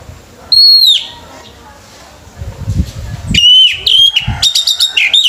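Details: Orange-headed thrush singing at a bird competition: a sharp whistled note, then a pause with low background noise, followed by a strong run of clear whistles and fast ringing notes.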